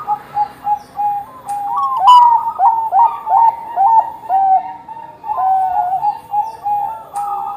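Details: Zebra dove of the Bangkok type singing steadily, meant to prompt other perkutut to sing. Clear, soft cooing notes repeat in quick, bouncing bursts, some stepping upward, with a faint hiss behind.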